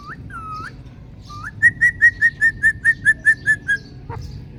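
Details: Indian ringneck parrot at a mirror gives a few upslurred whistles, then a rapid, even run of about eleven bright whistled notes at one pitch, roughly five per second.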